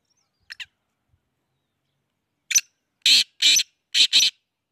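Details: Black francolin calling: two faint short notes, then a louder burst, then a rhythmic group of four harsh, grating, broadband notes in quick pairs against a quiet background.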